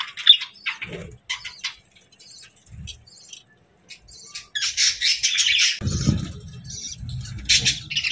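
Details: Sparse sharp chirps at first, then a louder stretch of raspy chattering over low rustling and thumping noises.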